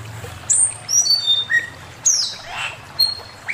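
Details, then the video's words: Male Chinese hwamei master song of separate, high, pure whistled notes, each short and sliding downward, spaced about half a second apart, with one lower, rougher note. "Burung poksay mandarin suara masteran Poksay mandarin jantan"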